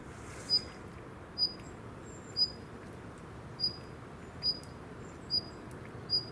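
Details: A female Daurian redstart gives ground calls at Gongenyama Bird Sanctuary, Japan, on 26 November 2017: thin, high, short whistled calls roughly one per second over a steady low rumble.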